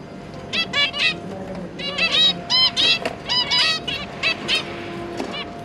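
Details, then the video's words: A zebra finch pair feeding their three juvenile babies, October 2022: bright nasal honking notes fired off in quick irregular runs, several calls per second at times, over a low constant background hum. "Zebra Finch - Jobby and Yongi, and their 3 juvenile babies"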